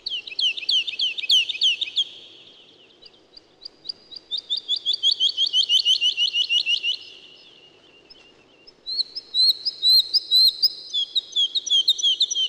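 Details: Woodlark singing: bursts of rapid, liquid repeated notes, some sliding downward, each phrase lasting two to three seconds with short pauses between, later notes higher and clearer; a faint steady low hum underneath.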